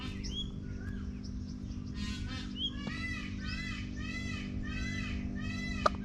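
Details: Peacock screaming: a loud series of harmonic, arched calls repeated about every half second. Fainter small chirps come first, over a steady low hum.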